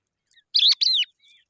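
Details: Eurasian skylark chicks out in the sun: two loud, sharp, high chirps in quick succession, each sliding downward, with faint twitters just before and after.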